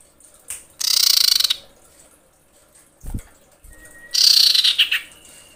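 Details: In heat, a female common iora screeches to call males: two loud, buzzy pulsed rattles about three seconds apart, a brief thin whistle before the second and a low knock between.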